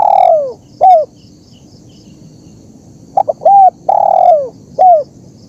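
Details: Spotted dove, a master recording for training captive birds and luring wild ones: low hooting coos, a quick stutter and then a long falling coo with a short clipped note, repeated after a pause over a faint hiss.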